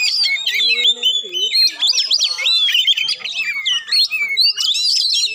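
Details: A vigorous song from an Oriental magpie-robin, played to rouse a reluctant bird into singing. Dense rising and falling whistles mix with harsh chattering notes in a continuous, energetic stream.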